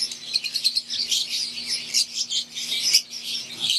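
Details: Green wild-type Fischer's lovebirds and Euwing lovebirds in an aviary giving rapid, rhythmic shrill chirps in quick bursts, many birds overlapping in a bright chatter above a faint steady hum.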